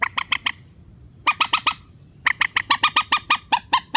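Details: Rail call played as a calm lure to bring birds down for netting: a fast, almost continuous chatter of loud, nasal, evenly spaced notes with one short gap.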